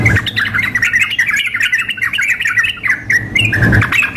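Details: Sooty-headed bulbul, a female calling a male combined with an excited singer for a contest simulation; continuous rapid chatter of short scratchy notes with a few clearer whistled notes, steady low hum beneath.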